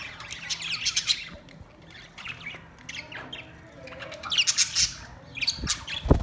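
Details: Australian parrot giving grating, high squawks in irregular bursts, with quieter gaps and a low thump at the very end.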